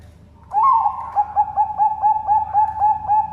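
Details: Bangkok-type zebra dove bred at a farm in Sidoarjo, East Java, Indonesia, singing its full front, middle and end song: one longer rising coo, then a quick, evenly spaced string of short mellow coo notes.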